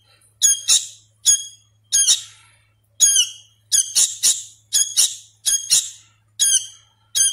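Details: Juvenile sooty-headed bulbul being hand-fed, still practising its song, utters a long run of rasping, overtone-rich squawks in pairs and triplets, speeding up midway, against a faint low electrical hum.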